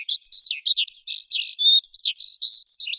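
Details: Continuous jumble of high, shrill lark notes: quick chirps, slurred whistles and short buzzy trills run together without a break.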